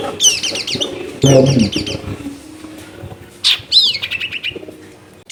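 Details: Long-tailed shrike at a house in a densely populated area, used to coax a shrike that stopped singing: quick chattering high twitters, a noisy low burst, then a rising-falling whistle and short steady notes.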